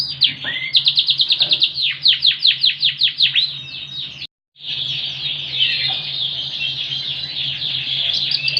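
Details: Yorkshire canary, ringed, with a very loud voice and a song filled with cililin-style phrases: a fast run of high, downward-sweeping notes, a brief break, then a dense, continuous high warbling trill over a steady low hum.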